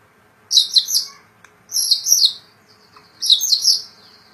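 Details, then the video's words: Captive white-rumped shama (murai batu) giving three short high-pitched chattering bursts spaced about a second apart, each a quick tumble of sharp twittered notes, with quiet between. "Murai Batu Gacor"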